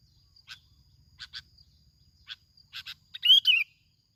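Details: Lure sooty-headed bulbul, Bình Thuận, Vietnam: several short sharp chirps spaced over three seconds, then one brief rich warbled phrase dropping in pitch at the end, against a faint steady high tone.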